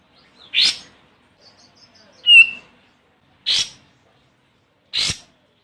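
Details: Olive-winged bulbul, Pycnonotus plumosus, calling a rival as a lure: one raspy chack, a bright short whistle, then two more raspy chacks spaced over about five seconds.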